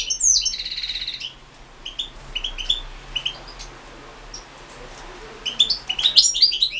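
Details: European goldfinch song from a 2016 internet singing competition: an opening buzzy, trilled phrase, then scattered sharp chirps in a brief lull, ending in a renewed burst of quick, bright twittering.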